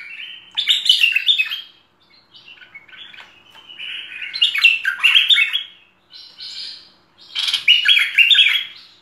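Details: Cream-vented Bulbul full-fill song (masteran full isian) in three lively bursts of bubbling, rapidly changing warbles and chirps, separated by short pauses, with a clean, quiet backdrop.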